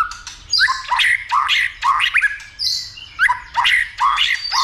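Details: White-rumped shama being stimulated to sing and to fight with tail flicking: rich varied song of whistled notes, upswept slurs and harsh buzzy phrases, sung in short bursts with brief pauses.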